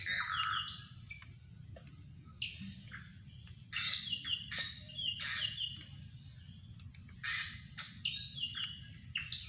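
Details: Drongo luring call: bursts of quick, high, chattering notes and short downward-slurred whistles, in clusters separated by brief gaps, with a steady insect drone and low background rumble beneath.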